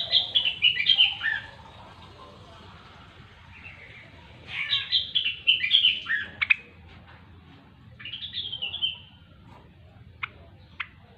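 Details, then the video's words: Gacor-style song of a grey-cheeked bulbul (rengganis, cucak wilis): bursts of fast, high, slurred whistles and warbles separated by quiet gaps, ending with two sharp isolated notes over a low background hum. "Rengganis/Cucak Wilis Gacor"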